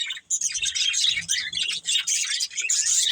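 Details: Pet budgerigars twitter rapidly together, dense high chirps and warbled notes running almost without break except a brief gap near the start.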